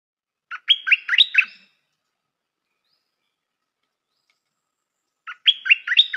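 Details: Stripe-throated bulbul kept as a newly trained decoy bird, praised for its pleasing song and good phrasing: two bursts of quick, bubbly, chirping notes about four seconds apart, with silence between.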